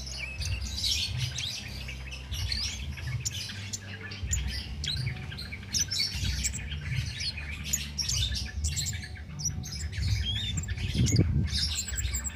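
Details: Nonstop song of a cit keres flowerpecker, undoped, used to teach caged songbirds: continuous high, scratchy chirps and tiny twitters, a brief louder low thump near the end, steady low hum.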